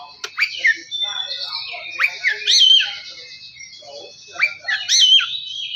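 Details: Oriental magpie-robin song played as a lure to make a quiet bird start singing and get excited: short whistled phrases with sharp rising and falling sweeps, broken by brief pauses, with scratchy chattering notes between them.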